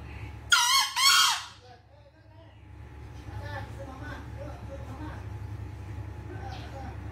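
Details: Green junglefowl (Gallus varius), crow: calling for its escaped female.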